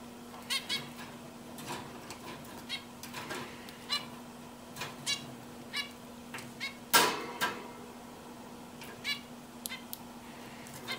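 A zebra finch gives short, nasal, buzzy notes in a loose, irregular series over a low steady hum.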